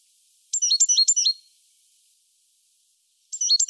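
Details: Great tit song as a rapid burst of four sharp, high two-note phrases, a silent gap of about two seconds, then the start of another quick run of the same ringing notes.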